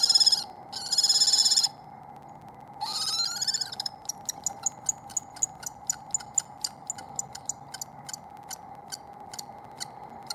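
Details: Wild common kestrels at a nest site in spring 2022, the resident female chasing a second female while the male looks on: two shrill, harsh, buzzy bursts, a thinner rising call, then a long run of sharp ticking clicks over steady hum.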